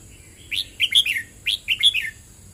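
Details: Red-whiskered bulbul song from a wild bird, a 'teacher' song. Two cheerful whistled phrases, each a rising note followed by tumbling, slurred notes dropping in pitch, repeated about a second apart.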